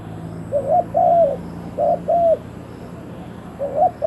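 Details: Decoy spotted dove calling to lure wild doves. It gives soft, hoarse coos in paired notes, a short note followed by a longer arched one. The phrases come in separate bursts with quiet gaps, over a faint steady hiss.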